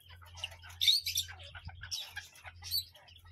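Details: Parrot giving bursts of harsh, raspy chatter and squawks, several short noisy notes clustered near the start and middle, with a steady low electrical hum underneath.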